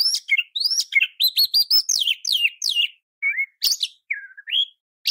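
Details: Oriental magpie-robin song used as a tutor for other kacer: rapid string of rising whistled notes and scratchy bursts, followed by slower slurred whistles separated by brief gaps.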